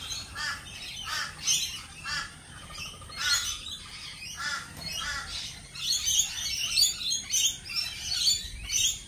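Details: Lorikeets at a cafe, a flock giving shrill, screechy high calls in overlapping bursts, with a busier, denser chorus of chattering toward the end.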